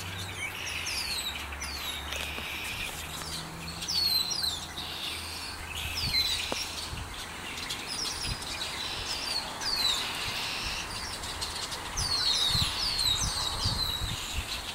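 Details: Birds chirping in a backyard, calling for hours: bursts of high, downward-sweeping chirps recur every two to three seconds over a steady low hum and faint background noise.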